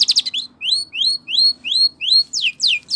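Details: Training song of a Spanish Timbrado canary, a short phrase of clear rising whistled notes repeated about every third of a second after a quick opening flourish.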